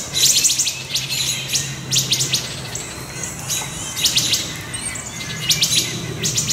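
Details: A wood thrush gives sharp, high clicking alarm notes in quick bursts of several, about every second, over a faint low hum, as it and other birds mob a juvenile Great Horned Owl near their nesting area, July 6 2019.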